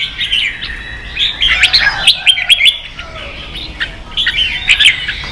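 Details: Competing red-whiskered bulbul in a cage: a chattering run of fast, bubbly whistled notes, fuller in the middle, then a brief lull before another burst of clear chirps.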